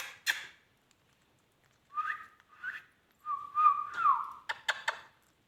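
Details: A talking Indian ringneck (rose-ringed) parakeet whistles short rising and falling phrases indoors, the last one long and sliding, then ends in a few sharp clicks.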